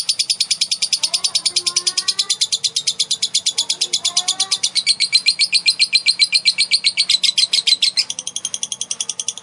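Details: Female lovebird giving a long 'ngekek' trill, used to provoke other lovebirds into singing: an unbroken, very high, rapid buzzy chatter of evenly pulsed notes sustained for over nine seconds, with faint lower whistled notes beneath.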